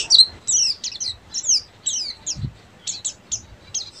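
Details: Oriental white-eye, buxtomi type, giving ngeriwik song: bright descending squeaky slurs in short clusters, then scattered thin chirps, with a brief low thump partway through.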